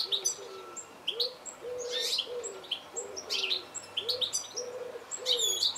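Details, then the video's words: Goldfinch giving repeated high, tinkling chirps and short twitters, with a dove cooing steadily and softly underneath throughout. "Goldfinch call"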